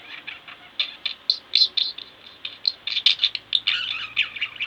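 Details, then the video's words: Pet budgerigars, a pair kept indoors, twittering in bursts, bright chirps bunched into lively chatter with a few louder squeaky notes and scratchy warbles. "Budgie Birds Extravaganza-Relax With My Budgies"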